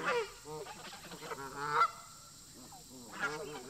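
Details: Resident geese at a park showing tension toward migrating visitors: loud nasal honks in quick clusters, a sharp peak near the middle, then a quieter pause before another honk, with a thin steady tone and background hum.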